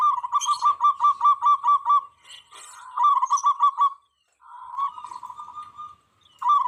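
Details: Local zebra dove singing hard, a song said to set wild doves answering and attacking each other: evenly spaced quick coos in a rolling series, a rasping noise, a softer purr, and renewed cooing.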